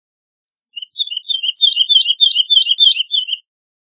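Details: Woodlark singing a clear, rapid run of warbled fluty notes alternating between two pitches for about three seconds, with no other sounds.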